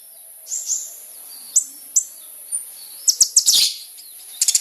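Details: Sunbird, a lively singer, recorded for use as a lure to draw a response from other birds of its kind; high, thin chirps and short sharp notes scattered irregularly, ending in a quick burst of rapid high ticks.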